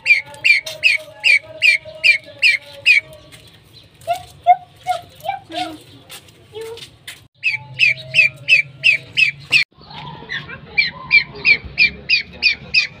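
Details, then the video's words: Calling female common pheasant: long bursts of rapid, evenly spaced squawking notes, broken by a pause with lower, softer tonal sounds and clicks before the fast squawk series resumes. "female pheasant calling"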